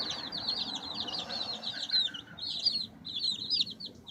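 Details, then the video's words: Chicks pecking and scratching about, their high-pitched peeping coming in quick overlapping runs with short gaps, over light rustling and scratching sounds. "Cute Baby Chicks Pecking Scratching Chirping Sounds Noises!"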